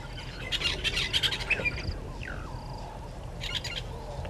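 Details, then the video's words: Wild red-billed hornbill at its nest tree by Gowrie dam, Djuma Game Reserve, Sabi Sand, South Africa, 30 January 2020 at 10:09. Harsh, rapid, clucking pulses in two bursts, with thin whistles and trills from other birds. "Red-billed Hornbill at nest tree"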